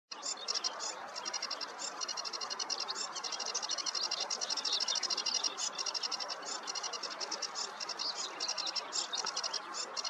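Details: Sedge warbler singing on a meadow on a warm morning: a long, hurried run of harsh, chattering high notes repeated in rapid bursts with little pause, over a broad soft background hiss.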